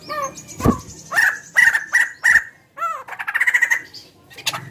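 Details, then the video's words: Big-bodied bird with a chicken-like voice: arched down-slurred notes, a low thump, several short harsh bursts, and a brief rapid rattle, the notes broken by pauses. "Suara burung gacor paling membagongkan"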